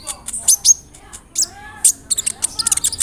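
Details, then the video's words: Konin sunbird song with mimicked cricket, cililin and sparrow notes. Piercing high ticks and brief whistles come in scattered bursts, accompanied by softer lower warbled tones. "PANCINGAN SUARA BURUNG KOLIBRI NINJA (KONIN) ROLL NEMBAK, ISIAN JANGKRIK, CILILIN, GEREJA, CERR"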